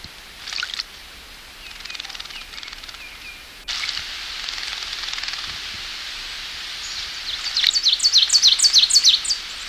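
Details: Ovenbird song in dense forest on its summer breeding range: a loud run of sharp high chirps building fast and rhythmically toward the end, over steady hissing background noise.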